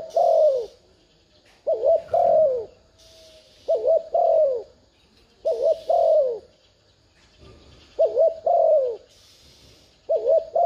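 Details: Decoy spotted dove in thúc gù urging style to lure wild doves: deep wobbling coo followed by a drawn-out downward coo, the pair repeated about every two seconds over a quiet background with occasional hissing.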